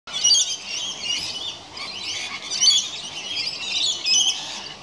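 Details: Rainbow lorikeets bathing in water in a house gutter at the end of a hot summer's day, giving harsh, high screechy squawks and chatter in overlapping bursts every second or so.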